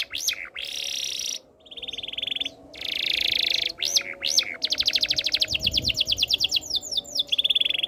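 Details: Singing canary delivering varied phrases: sharp looping whistled notes, short buzzy trills separated by brief pauses, then a long run of rapid rising-falling pulses and a final lower rolling trill.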